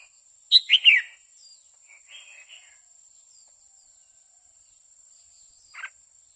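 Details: A female red-whiskered bulbul sings steadily to rouse a male. A quick burst of three chirpy notes, then soft warbled fragments and a final short note after a pause. The surroundings are otherwise quiet.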